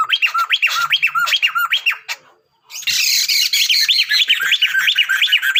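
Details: Sunda laughingthrush, a male and a female together: loud repeated whistled phrases with rising and falling notes, a brief pause, then a denser rapid run of clear looping whistles.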